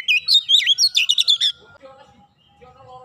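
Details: Oriental magpie-robin, a caged bird, giving a short rapid burst of varied whistles and trills lasting about one and a half seconds, followed by soft tonal squeaks and low background noise.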